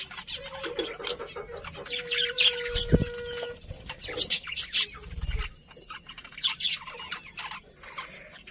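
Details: Budgerigars giving sparse high chirps and chattering notes, with a steady whistled tone and a couple of low thuds in the background.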